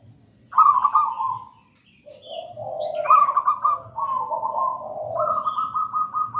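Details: Gedang rojo style local zebra dove in full song, used to lure wild doves and train young singers; rolling trilled coos and lower purring notes run together and overlap in long flowing phrases.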